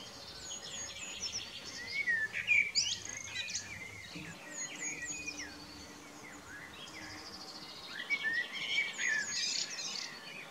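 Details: Spring evening song of a common blackbird, 11 May 2018, perched on a rooftop and an old telephone pole, recorded with a Nikon P900: fluting warbled phrases with squeaky high endings, sung twice, with a low steady hum underneath.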